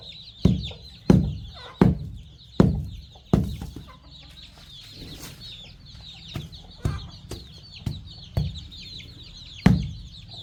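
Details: Chicks and young chickens feeding on fresh termites at a farm: continuous high, descending peeps from a group of chicks over loud, irregular pecking thumps, about one or two per second, with a quieter stretch midway.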